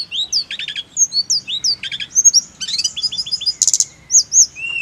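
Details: Snowy-browed flycatcher song meant to prompt other birds into steady singing: a busy stream of high curved whistles mixed with fast buzzy chip clusters, phrases following each other with hardly a pause, clean background.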